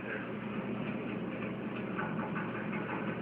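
A steady, droning machine or engine hum runs without a break, and no animal voice can be picked out.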